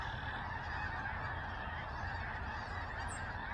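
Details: Massed snow geese at Skagit in October 2023, honking together in an unbroken wall of nasal calls over a constant low background roar.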